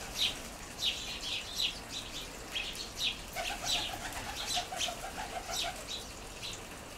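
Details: Several house sparrows on the ground near a garden seed feeder; loud repeated chirps in quick bursts, joined midway by a lower rapid chattering run lasting about two seconds.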